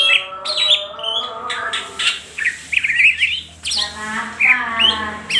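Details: Crest raised and tail spread, a greater green leafbird sings persistently in ngentrok style: sharp whistled slurs and twittering bursts, some rising, above a band of lower steady tones.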